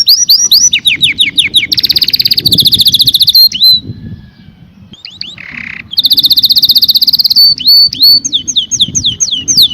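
A canary sings rapid, high rolling trills and repeated down-slurred chirps, pausing briefly midway before resuming the bright, fast phrases.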